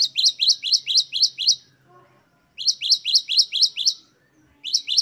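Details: Great tit 'wucit-wucit' song from a ten-variation tutor recording, three fast strings of six or seven sharp, high, repeated double notes, each string cut off by a brief silence.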